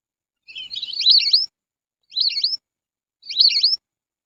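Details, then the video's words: Whistled call of lesser whistling duck played to attract the birds: a longer opening phrase of jumbled high whistles, followed by two short twisting whistled phrases about a second apart, quiet clean background. "Suara Panggil Burung Belibis"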